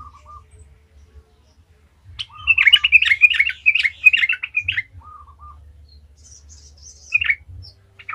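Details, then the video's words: Vigorous 'gacor ngalas' song of a yellow-vented bulbul used as a lure: low whistled notes frame a long, fast run of bubbly chirps, followed by a later short chattered burst and faint high background chirps. "Trucukan gacor ngalas ahlinya bikin trucukan lain kepanasan langsung jadi gacor ngalas"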